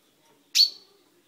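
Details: Single sharp, high-pitched pink-like note from a caged chaffinch whose beak has just turned purple, recorded at home on 10/05/12. The clipped note starts hard and tails off quickly against a near-silent background.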